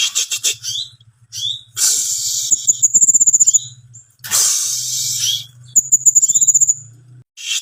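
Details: Timor sparrow singing: sharp high chirps and bursts of broadband chatter, with a fast thin trill of evenly spaced high notes heard twice, over a steady low hum.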